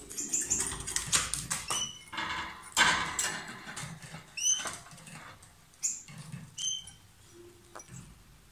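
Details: A pair of lovebirds kissing and exchanging food give loud, sharp, high chirps and squeaks, some rising, in irregular bursts mixed with rustling and scratchy noises.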